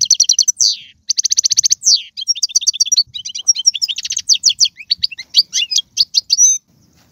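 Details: European goldfinch song used to stimulate a pet goldfinch to sing: fast, high twittering with rapid trills, buzzy notes and tinkling chirps run together in a lively, varied stream.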